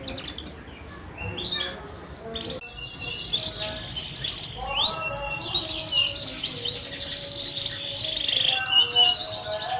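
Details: Singing canaries used to spur silent birds: a quieter start with a few chirps, then an abrupt cut into fuller song of rising whistles and long rolling trills.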